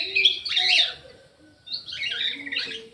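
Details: Orange-headed thrush singing in an aviary: two dense bursts of jumbled, scratchy warbled notes separated by a quiet gap, with faint low background hum underneath.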